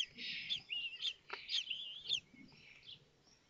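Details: Kestrel nestlings in Théding, France, 19 May 2024, begging at feeding as a chick hatches; continuous high wavering chatter fading out after two seconds.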